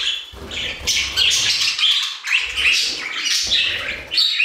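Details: Several budgerigars in an aviary chattering and warbling nonstop, harsh squawks mixed with whistled chirps, soft low thuds in the background.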